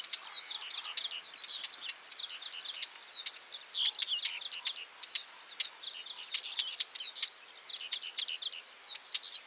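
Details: Northern wheatear singing a fast, continuous scratchy warble of short chattering notes, clicks and whistled upslurs, with brief bright whistles recurring every couple of seconds, heard against a quiet background.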